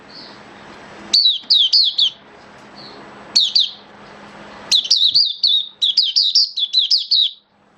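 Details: Kept oriental white-eye singing in build-up form on 19 September 2022: bursts of high, sweet, twittering notes with quick down-slurred chirps, separated by short pauses, over a faint low hum.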